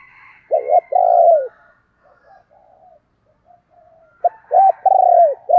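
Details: Decoy spotted dove giving 'thúc' and calling coos: two loud, low, hoarse coo notes with a long arched phrase, a quiet murmuring stretch, then another run of arched coos near the end.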